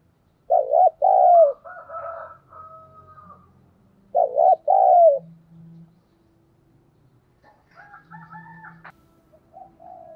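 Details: Spotted dove kept as a lure to provoke cooing gives two loud phrases of double arched coos, with faint softer notes, hums and background sounds between them.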